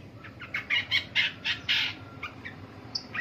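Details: Morning calls of a long-tailed shrike: a burst of rough, scratchy squawks given in quick succession, followed by a few thinner, higher notes, with a faint low hum underneath.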